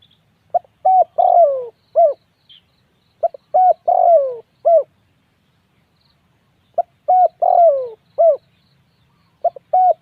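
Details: Spotted dove repeating its cooing phrase three times, a few quick hollow notes then a longer descending coo and a final short note, each phrase a few seconds apart with quiet between.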